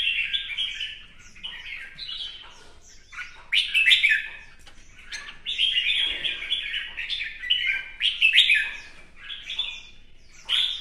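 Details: Captive red-whiskered bulbul in a singing duel, dancing with spread plumage: lively chattering warbles and sharp upslurred whistles, loud bursts alternating with quieter gaps, faint rustling of movement.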